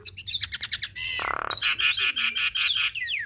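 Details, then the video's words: Javan myna, kept for training other songbirds, singing vigorously: a fast series of sharp clicks, a harsh buzzy burst, then bright whistled notes and rising slurs, about two and a half notes per second. "Jalak Kebo gacor Mantap Suaranya"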